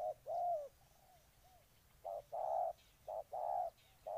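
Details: Spotted dove in Ninh Thuận: one long hollow coo and soft trailing notes, a pause, then short-long coo pairs resuming at a moderate pace.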